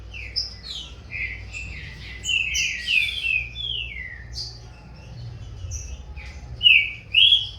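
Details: Young captive Green-winged Saltator of the corvo x fogueira line starting to compete in song with its father: rich whistled phrases sliding down between mid and high pitch, overlapping notes from two birds, loudest near the end.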